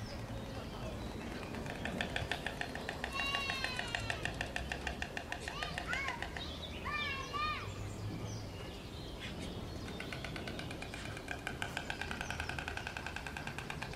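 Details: White storks on their nest clatter their bills in rapid, dry wooden rattles that come in bursts, with voices and high whistling sounds over the top.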